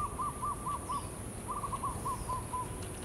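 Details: Pink-necked green pigeon (Treron vernans) cooing in soft, mellow notes in two bursts of four or five, on 5 March 2019 around 8:30 am, over a steady high insect hiss and low rumble.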